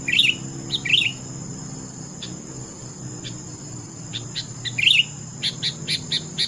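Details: Sooty-headed bulbul uttering short liquid chirped phrases at the start and again near five seconds, interspersed with sharp clicking ticks and a steady high drone behind.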